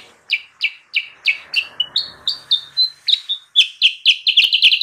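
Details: Sooty-headed bulbul song used to attract wild birds: a loose series of clear downslurred chirps, briefly broken by short flat whistles, then speeding into a quick chattering burst.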